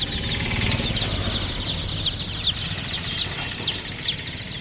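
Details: Many chicken chicks peeping at once, rapid high descending chirps packed tightly together over a steady low rumble of background noise.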